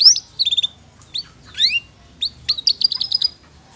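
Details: Canary giving loose, scattered song phrases from its rich 'isian mewah' repertoire: short sharp chirps and slurred upward whistles separated by pauses, then closing in a quick run of bright repeated notes.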